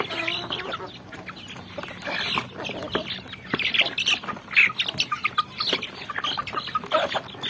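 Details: Little chickens, chicks, peeping in a busy farmyard scene: many short high cheeps and clucking notes overlap irregularly, with scattered louder peeps and a low hum in the background.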